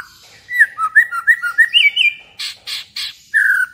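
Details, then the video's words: White-rumped shama song used as a provoking track to stir emotion and make the bird sing: varied whistled notes rising and falling around one pitch, followed by harsh, broad, noisy bursts and a final long whistle. "PANCINGAN MURAI BATU AGAR EMOSI DAN BUNYI"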